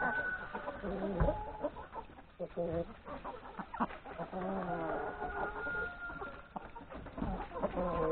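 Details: Breakfast in the yard for hens and three roosters before forest grazing; mixed clucks and drawn-out calls from the flock, with a low thump early on and possible voices.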